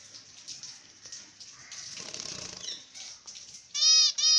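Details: Finches after a bath fluff their wings in the nest: soft rustling and fluttering of feathers for several seconds, then two loud, nasal, buzzy finch calls close together at the end.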